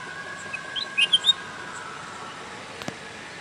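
A bulbul gives a short burst of bright, liquid chirps and warbles at mid-high pitch, about five notes in half a second, over a steady background hum.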